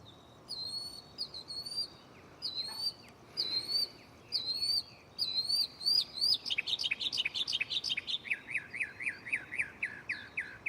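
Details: Mockingbird shuffling its song catalog at night from a tree next to the recorder: repeated high, rising whistled phrases, then a rapid rattling series of steep chirps that slows toward the end.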